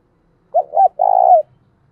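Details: Cooing decoy spotted dove meant to draw wild doves near: two quick low notes, then a sustained tremulous coo ending in a downward slur, close and loud with quiet surroundings.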